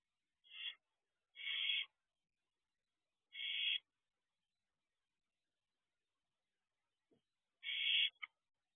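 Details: Young barn owl in a nest box before dawn, 4:06 am, 1 June 2023, with a wing display: four rasping hiss-screeches at uneven intervals, one short and three longer, a quiet gap, then a faint click near the end.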